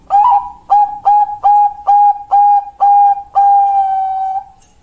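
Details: Kliuk song of a Bangkok perkutut, or zebra dove, recorded 27 February 2023: loud, clear hollow cooing notes repeated in a steady series, each slightly bent at the start, ending in one long drawn-out sustained note.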